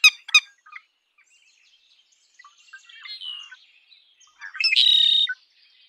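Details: Red-winged blackbird song: two sharp clicks, soft twitters and a short whistled phrase, then an emphatic, grating, buzzy trill near the end.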